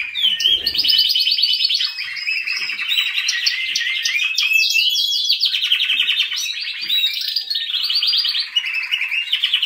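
Canary in continuous high, rolling song: fast trills and rattling tours that shift pace every second or two, with bright whistled notes between them.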